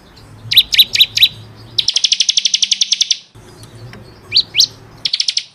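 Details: Caged-bird training recording of bar-winged prinia: a few loud, sharp chirps, then a fast buzzy trill of repeated high notes, a pause, two rising chirps, and another short trill.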